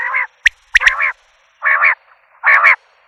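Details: Common quail: grating, nasal bursts spaced about half a second to a second apart, with a few sharp pips mixed in.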